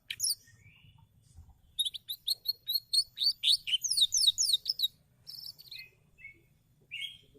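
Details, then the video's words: Domestic canary singing in gacor style, a bird that sings often: a brief whistle, then quick repeated bright chips speeding into a fast, descending rolling trill, followed by short separate twittered phrases and pauses. "kenari gacor"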